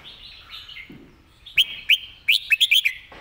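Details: Red-whiskered bulbul singing a model song for training birds: soft warble and a low click, then a run of six or seven loud, clear, rising whistled notes packed close together.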